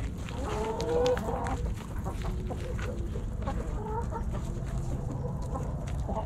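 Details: Backyard hens and roosters snacking at Thanksgiving; soft low clucks and a short rising call early on, then quieter murmuring clucks over constant low rumble.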